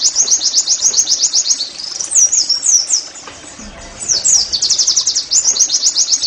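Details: Oriental white-eye song for caged-bird training: a fast high chirping trill, a few slurred looping whistles, a short quieter gap, then the rapid thin trill resumes.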